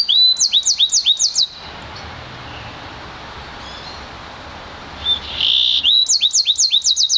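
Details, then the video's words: Song of a one-year-old hybrid of Yarrell's siskin and intensive green Fife canary: a run of high looping whistles, a few quiet seconds, then a buzzy note and another quick series of repeated high notes. "Yarrell's Siskin mule"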